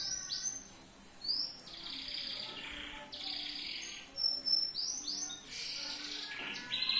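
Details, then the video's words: A yellow canary in loper style sings a tutor song for training birds: bright, high whistled slurs and sweeping notes alternate with rapid, rolling trills, varying in loudness throughout. "MASTERAN BURUNG KENARI/LOPER/JOS"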